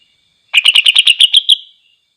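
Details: Greater green leafbird in full song, meant to rile other leafbirds into a frenzy: a burst of about nine rapid, harsh, ringing notes repeated evenly over one second, ending in a brief fading tone; otherwise silent.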